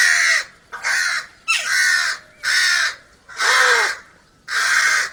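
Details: Six drawn-out, grating crow caws at about one per second, coarse and nasal, with low background quiet between calls.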